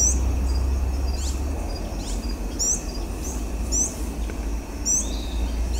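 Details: Versicolored Emerald (Amazilia fimbriata) at Guaraú, Peruíbe, São Paulo, Brazil, on 1 December 2017, giving thin, very high chips, sometimes doubled, about once a second, over a steady low rumble and a faint insect hum.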